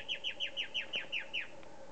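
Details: White-bellied antbird, Morrocoy National Park, Venezuela: eight loud, ringing downslurred whistles delivered about six per second, stopping abruptly, with a low steady hum underneath.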